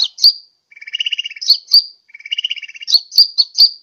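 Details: Lure call of a sunbird for pulling in birds, Sukabumi, Pajampangan: high, piercing downslurred chips between two lower, rasping, buzzy rattles, each just under a second long.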